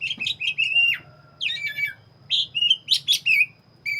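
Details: Black-chested oriental magpie-robin singing in full voice: bright whistled phrases around high pitch, a long sliding whistle, then bursts of chirps and warbles separated by short pauses, over a faint low hum.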